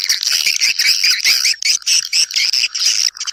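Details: Swiftlets summoning others to nest. Short bursts of high, squeaky chirping come in quick pulses, several per second, with brief gaps between them.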